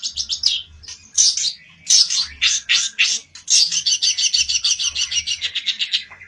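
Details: An olive-backed tailorbird, raging in search of a rival, delivers loud bursts of high notes followed by a long steady series of quick, evenly repeated sharp chirps.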